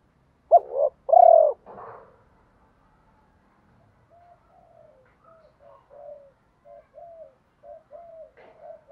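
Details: Spotted dove call to prompt other doves to coo: one loud double coo with a drawn-out ending, then a string of soft, short, repeated coos from further off for several seconds.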